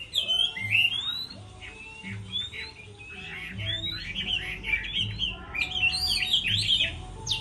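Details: Chinese hwamei singing in a contest during moult: bursts of quick, scratchy and whistled phrases separated by brief gaps, with a background hum and possibly other birds.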